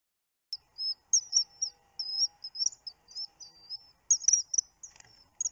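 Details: On a 29 June webcam recording, a common kingfisher gives shrill, piercing whistled notes, short and high, in quick uneven bursts; a faint steady low hum runs underneath.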